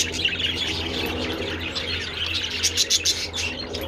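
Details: Several budgerigars enjoying treats in the sun on 27 February, outdoors, giving dense high chirping chatter with sharp bright notes toward the end, over a steady low hum.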